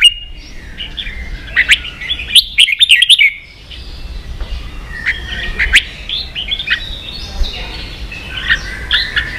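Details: Red-whiskered bulbul, a Vietnamese cage bird stirred to fight, delivering a busy string of liquid whistles and slurred notes, a dense burst early on, then varied phrases with brief pauses.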